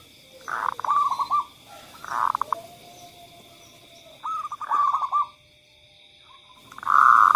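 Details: Lure song of the zebra dove for quiet birds: several separated phrases of rolling, trilled coos, softer and more distant, with a faint steady hum throughout.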